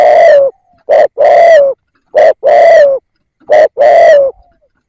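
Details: Close, loud calls from a decoy spotted dove meant to lure wild doves: three phrases, each a short coo then a long full coo gliding downward, given about every one and a half seconds.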